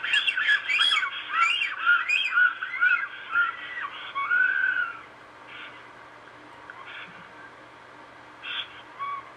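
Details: A Black stork pair at their nest in Estonia, heard via a web camera, give loud, squealing, rising-and-falling calls about twice a second for five seconds, followed by a few fainter calls against a quiet background.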